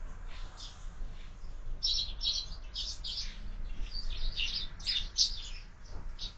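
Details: Morning chatter of sparrows feeding at a feeder fixed to a window: dense clusters of sharp, high chirps overlapping in the middle of the recording over a faint low rumble.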